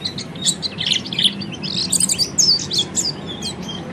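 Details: Ngeriwik song of the peleci, or Oriental white-eye, played to teach birds ngeriwik and ngepelong; very fast, dense high twittering, about three notes a second in bursts, with squeaky buzzy chips.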